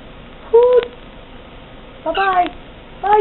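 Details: Pet brown-headed parrot indoors, hooting and copying a conure's sounds: three short, hollow, whistled calls with a warbling, bending pitch, each under half a second and roughly a second apart, over steady background hiss.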